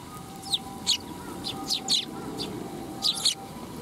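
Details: Several Eurasian tree sparrows at a Tenmangu shrine come for food on 12 July 2021, giving clipped, high chirps, a few in doubled bursts, against a steady faint hum.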